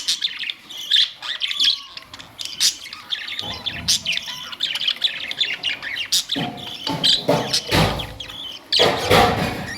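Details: Budgerigars twittering with fast high chirps and warbles, mixed with broad clattering knocks and rustles in the second half.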